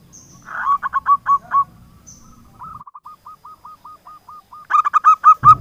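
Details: Local zebra dove, used as a lure for mute doves: a short burst of cooing notes over low background rumble, a long, soft run of evenly spaced trilled notes, then loud cooing ending in a thump.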